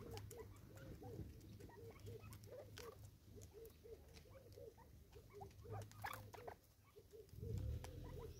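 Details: Six Natal spurfowl squabbling over food in South Africa; a rapid stream of soft, hooked chirps, roughly three or four per second, runs continuously with scattered clicking pecks and a low hum.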